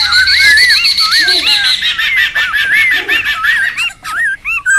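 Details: Wild laughingthrushes in a boisterous group, recorded for luring and tutoring: rolling laugh-like chatter with repeated curving whistles, a couple of low hoots, and sharp calls fading toward the end.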